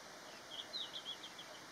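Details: A male red-flanked bluetail perched on a branch, recorded on 13 December 2021, sings a faint, brief phrase of quick high twittering notes, about a second long, over a steady background hiss.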